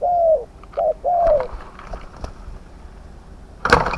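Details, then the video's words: Spotted dove used to lure medium-voiced wild doves into a Thai decoy pen, giving a long falling coo, then a short and a long one, before a sharp clatter and knock. "ต่อนกเขาใหญ่ ต่อเพนียดเถรเปือย กับเซต็ปนกป่าเสียงกลาง"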